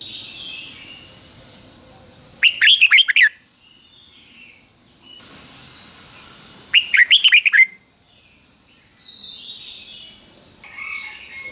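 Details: Red-whiskered Bulbul singing the Thai 'double' (เบิ้ล) style, fik-jik-fok, for young birds to copy: two quick phrases of six or so sharp, warbling, up-and-down whistled notes about four seconds apart, over a steady high whine and faint background hiss.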